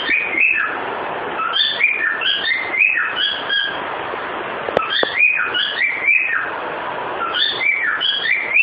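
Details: Pet cockatiel singing "Ô bate o pé", whistling the same melodic phrase twice in a row, each a string of clear stepping notes that rise and fall, with a faint click midway and constant background hiss.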